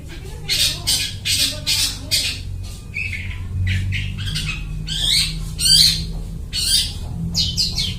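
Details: Long-tailed shrike in energetic voice, copying other birds' calls, recorded for luring birds: varied harsh squawks and buzzy notes in irregular bursts, some short clipped, some longer and scratchy, over a faint low hum.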